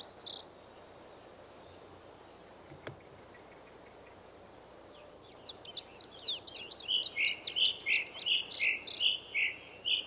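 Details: Indigo bunting in the forest: several seconds of near-quiet hiss with a faint early note, then a lively burst of high, quick downslurred chirps and repeated sweet notes that fills the last half.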